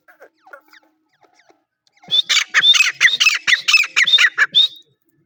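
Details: Grey francolin, a wild desi teetar, gives a loud, grating series of about ten rhythmic, clipped notes, each with a squealing upward inflection. The series ends in a higher drawn-out whistle, after a quiet stretch of faint clicks and scuffs.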